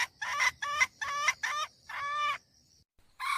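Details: Domestic hen used as a lure, calling to excite roosters: four quick, rough, nasal squawks followed by a longer drawn-out cry, then a pause and another squawk starting, with a faint high steady whine behind.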